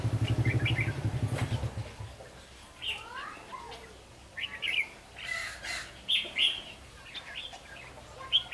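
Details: Red-whiskered bulbul in Vietnam during a bulbul trapping session with a decoy bird, giving short scattered chirps and slurred whistled notes after a low rumbling and a voice at the start.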